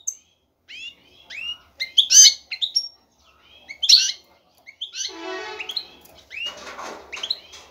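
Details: Breeding-ready male European goldfinch calling to a female to court her; scattered bright chirps and upswept notes in bursts, then a buzzy, rattling stretch and a softer trailing twitter.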